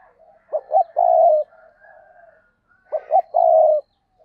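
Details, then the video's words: Decoy spotted dove cooing to provoke wild doves: two phrases, each of two short hollow notes followed by one long, low, steady coo, repeated about two and a half seconds apart, with faint distant birdsong between. "Chim Cu Mồi, cu gay kich boi nhanh noi gù hiệu quả nhất 2023"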